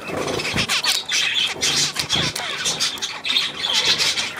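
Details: Budgerigar chatter recorded 9 February 2024: rapid, grating, high-pitched twittering with short squeaky whistles, steady throughout, plus faint low knocks.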